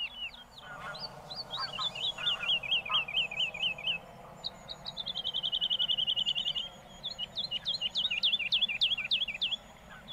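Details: Woodlark (Lullula arborea) singing in Castricum, the Netherlands, with several high phrases: a rolling trill of lilting notes, a fast even run of repeated notes, then a string of sharp, descending slurred whistles.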